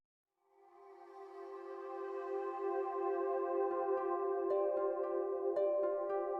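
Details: Soft ambient synthesizer music swells from silence into sustained chords with a few chiming notes, and no animal sound is present.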